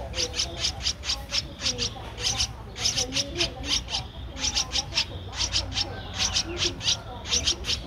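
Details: Streak-eared Bulbul nestling, 13 days old, in Ubon Ratchathani, Thailand, on 15 April 2023: a rapid run of high, thin, clicky notes repeated several times a second in bursts, with short pauses between bursts.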